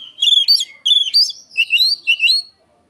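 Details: Oriental magpie-robin mimicking Asian pied starling song, used as a lure; a quick run of three bright, warbled whistled phrases with sliding pitch, then silence.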